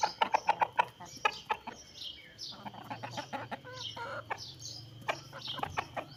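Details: Rooster among hens: a fast run of loud, evenly repeated clucks at the start, then softer scattered clucking and brief higher chirps from the flock.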